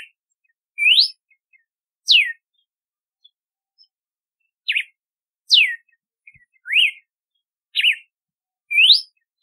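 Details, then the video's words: Red-cowled cardinal whistling a sequence of bright notes that alternate between quick rising sweeps and steep falling slurs, roughly one per second, in a quiet setting. "Canto do Cardeal do Nordeste / Galo de Campina / Campina | Red-cowled Cardinal"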